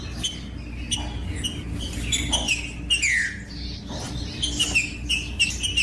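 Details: Green-winged saltator song used to motivate other saltators: repeated short whistled notes and a prominent falling slur, delivered in a steady, somewhat irregular stream over low background hum.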